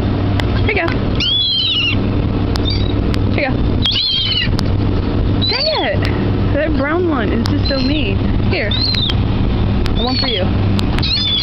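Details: Many seagulls gathered by the water at a dock; repeated short, wailing, down-slurred cries from several birds overlap through the recording, over constant low rumbling background noise and occasional clicks.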